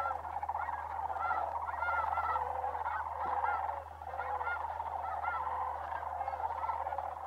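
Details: Migrating sandhill cranes in December at Bosque del Apache Wildlife Refuge, New Mexico: a dense, continuous chorus of rolling calls with arched, honking notes rising above it, over a steady low hum.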